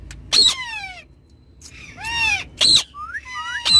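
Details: Ringneck parrots in a car give a few harsh squawks mixed with smooth gliding whistled calls, each separated by brief pauses.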